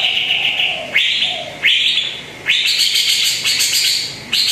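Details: Greater green leafbird song used as a lure to make a quiet bird sing: loud slurred whistled phrases rising then levelling, repeated about every second, with a fainter lower whistle beneath.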